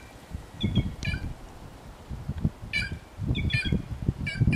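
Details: Wild white-naped jay giving harsh, layered squawking notes in short groups, some stacked and buzzy, with low rumbling background noise.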